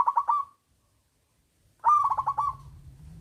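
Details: Loud-voiced local zebra dove, singing as a lure to make reluctant doves sing: two quick pulsed coo phrases, a short one and then a longer trilled one, the second over a low droning hum.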